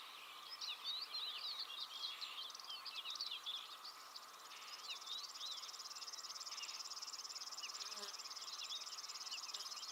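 Red-backed shrike giving a rapid run of scratchy, chattering high notes for about six seconds, over a steady insect drone and a high buzzing trill near the end.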